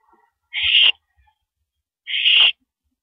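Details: During a mouse delivery at 9:17 PM on 13 April 2012, an owl gives two loud, noisy hissing screeches of about half a second, spaced a second and a half apart, in an otherwise quiet setting.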